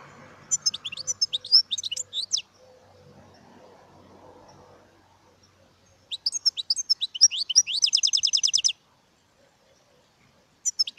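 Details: European goldfinch singing two quick phrases of bright, high twittering notes separated by a pause. The second ends in a rapid, evenly repeated run of chirps. Faint low murmuring sounds in between.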